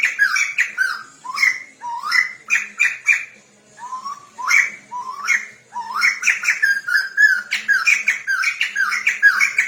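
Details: Chinese hwamei tutor song for training a bird to sing: varied, rapid phrases of rising whistles mixed with harsher squawky notes, broken by short pauses, then a dense run of chattering whistles.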